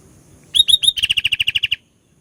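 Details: One energetic burst from a sooty-headed bulbul, three sweet whistled notes leading into a brisk chain of about eleven evenly spaced short chirps, with no other sounds.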